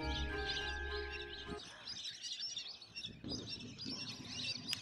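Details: Hundreds of Lesser Whistling Ducks gather at a university campus pond in winter, flocks still arriving in the afternoon: a dense, overlapping chorus of high, thin whistles, with music at the start and low background noise.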